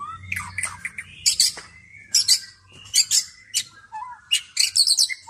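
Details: White-rumped shama, just bathed, sings energetic phrases of loud high buzzy bursts alternating with whistled slides and a low fluty note, phrases every second or so, faint low hum behind.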